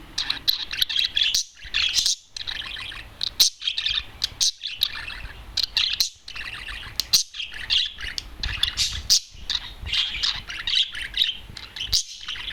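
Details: Lone adult male budgerigar outside the cage on a television keeps up a long chattering warble: high squeaky chirps, buzzy notes and sharp clicks, with brief breaks every couple of seconds.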